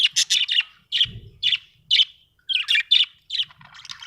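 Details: Budgie chirping in a steady series of bright, short chirps, roughly two to three per second, with a brief soft thump partway through.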